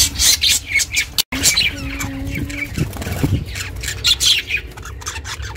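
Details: Pet budgie recorded chirping for budgies kept alone: bursts of sharp, scratchy high squawks and chirps with short gaps, a brief dropout, and a low steady hum with faint tonal notes beneath.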